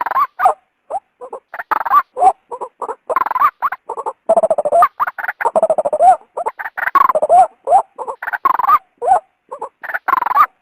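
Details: Luring call of a female white-breasted waterhen, aimed at bringing the male out of hiding: long, irregular sequence of rasping croaks and gobbling grunts, about forty-six bursts a minute, some notes sliding upward.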